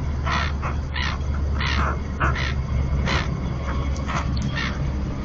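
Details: Two pairs of common terns at a nesting colony on a floating platform in the Marismas de Astillero reserve, Bay of Santander, Spain, give harsh, grating calls in quick bursts, about two a second, over a steady low rumble of wind or surf.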